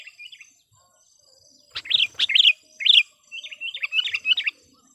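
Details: Caged sooty-headed bulbul decoy in full voice to attract wild birds: soft opening chirps, then loud rich bubbly phrases in quick clusters, with rapid wavering notes trailing off.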